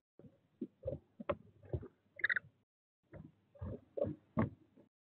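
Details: Tawny owl chicks, 18 days old, fight over prey in a nest box at De Mortel at 23:03 on 18 April, and the mother returns to settle it. Thuds and scuffling come in bursts, with one short raspy squeal midway.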